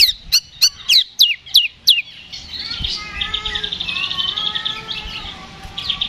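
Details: Oriental magpie-robin singing in a provoking fight-song meant to raise another bird's aggression: a rapid series of sharp descending whistled notes, then a varied run of warbling, trilled phrases with buzzy high chatter.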